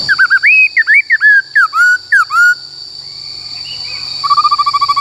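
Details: Caged Black-throated laughingthrush in the forest-voice singing style, used for training young and wild-caught birds: a rapid run of looping, slurred whistles, then a quiet pause and a fast series of short repeated chips, with a constant high-pitched hum.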